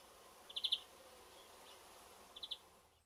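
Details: European greenfinch singing from the top of a rowan tree in a garden gives two quick bursts of high twittering notes, three then two, about two seconds apart, over a faint steady hiss.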